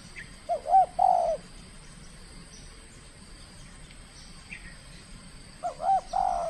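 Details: First contest bout of a trained spotted dove from Kepri, Indonesia: two cooing phrases of bouncing rising notes and long level coos, about five seconds apart. Faint high chirps from other birds sound in between.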